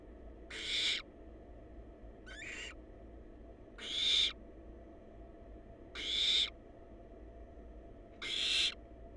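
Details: Wild barn owl nestlings in a monitored nest box give a rhythmic series of four rasping, hissing screeches about every two seconds, with one thinner short call between the first two, over a constant low electrical hum.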